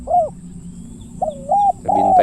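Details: Spotted dove used as a decoy in a bird-luring hunt in Thailand, giving its deep 'khu ang' style coo: short mellow hooting notes, a single coo followed by a rising-and-falling pair and a long level note, over a low background hum.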